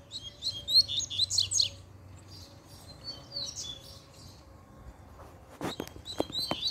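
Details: A double-collared seedeater agitated by a female sings dense, high chirps, then a quieter phrase, followed by several sharp knocking clicks and a few final chirps.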